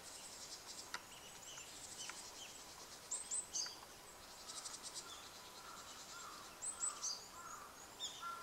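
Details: Probable pale thrush, identification uncertain, recorded 10 February 2014: thin, very high, short call notes in two brief bursts a few seconds apart, over a steady hiss of insects and background noise.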